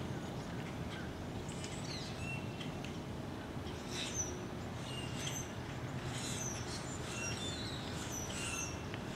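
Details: Large flock of Brewer's blackbirds congregating and moving between trees along Little Fishweir Creek on a November 2015 morning at 7:50; bursts of thin, high squeaky chips from many birds over persistent low traffic-like rumble.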